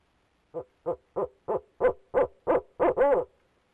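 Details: Inside a nest box, a male barred owl gives a steady series of nine hoots, building in loudness and ending with a longer, wavering hoot, about three calls each second.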